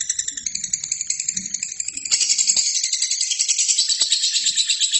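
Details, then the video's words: Lovebird song made for training other birds: a thin, pulsed high chatter that bursts into a louder, denser scratchy trill after two seconds and keeps going unbroken, with a couple of sharp clicks. "LOVERBIRD GACOR!!!"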